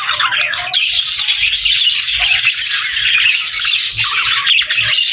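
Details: A dense, steady twitter of budgies, high scratchy chirping that runs on without a break, with occasional short clearer whistled notes standing out.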